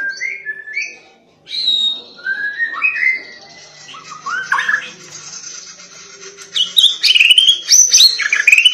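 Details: White-rumped shama's persistent song, used to stir other shamas into song: varied clear whistled phrases and slurred notes, quieter in the middle, building to loud high chattering notes near the end.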